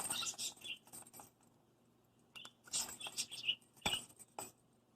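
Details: Young hand-fed pet parakeet, six months old, batting at its bells before bedtime indoors: a few clear high chirps scattered between bursts of metallic jingling and tapping, with quiet gaps between.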